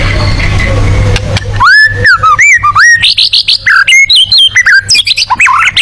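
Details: White-rumped shama in the rapid-fire tembakan song style suited to competition birds: after a noisy opening, a fast run of loud, varied whistled notes, sweeping up and down and climbing higher, over a steady low electrical hum.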